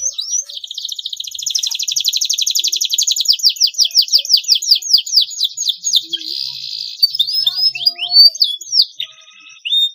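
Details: Extended canary song intended to stimulate young birds to learn singing: a long rapid trill of pulsed notes building into swooping repeated slurs, then scattered chirps and whistles.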